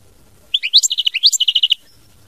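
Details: Mama binette song of a European goldfinch: a bright, continuous run of about fifteen clear, evenly paced chirping notes lasting just over a second, loud and close.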